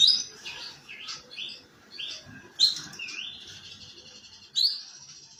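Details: Ngeriwik-style canary song, rough and used as a lure to start other canaries singing; three sharp squeaky bursts spaced about two seconds apart, linked by soft warbling twitters and a long rising whistled slur.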